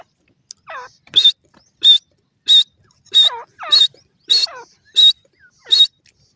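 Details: Grey francolin in breeding season on a bird breeding farm, giving a run of sharp, high metallic notes at a steady beat of about one and a half per second, with some notes preceded by softer falling whistles.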